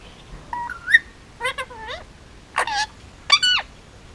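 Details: Hand-raised male Indian ringneck parakeet, nearly two, on Oahu, Hawaii, producing talk-like noises: stepped whistles, nasal wavering syllables and raspy speech-like bursts, fairly quiet with a low background hiss.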